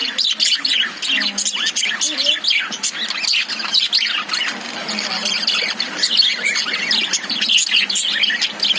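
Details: Caged lovebirds chattering together: a dense, continuous stream of shrill, high chirps and harsh squawks overlapping without pause, several birds calling at once.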